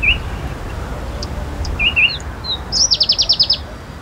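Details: Palestine sunbird singing: a few high, thin chirps, then a fast, dry trill of about eight sharp notes near the end, over a soft rumble of background noise.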